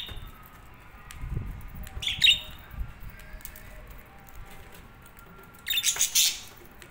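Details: Budgerigars giving a few short, bright chirps, one burst around the two-second mark and a denser cluster near the end, over a quiet low background hiss.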